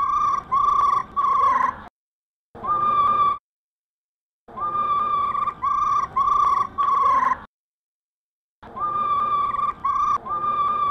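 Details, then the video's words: Female black laughingthrush giving its 'ro ro' call, played to stimulate caged birds: bursts of three to four steady, mid-pitched, slightly nasal tonal notes, each under half a second, separated by abrupt silent breaks. "khướu mun mái ro ro kích trống nhanh căng lửa nhất"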